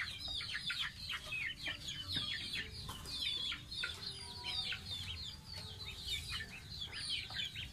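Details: Baby domestic goose kept as a pet, bathing: a busy run of shrill, short, downward-curving peeps repeated many times a second, fairly even in loudness, over soft low noise.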